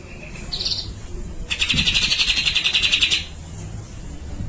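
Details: Grey-cheeked bulbul singing gacor, besetan and long tembakan style: a clear high chirp followed by one strong rattling trill of rapid even pulses lasting roughly one and a half seconds.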